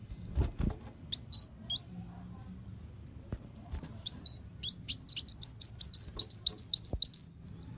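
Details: Kolibri wulung sunbird song for use as master recording for songbird training: a few scattered thin high chirps, then an accelerating string of sharp, slurred notes forming a rapid twittering trill. Faint clicks and a low hum behind.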